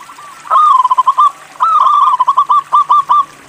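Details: Local zebra dove, a strong singer, in a cooing song. Two phrases each open with a longer coo, then break into quick rolling notes. A faint trickle is underneath.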